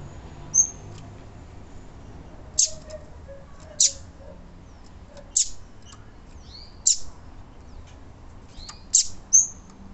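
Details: A female Yellow-bellied Seedeater, a call keepers play to stimulate caged males, gives sharp, high, down-slurred chips every one to two seconds, mixed with a few thin whistled notes, over faint background hiss.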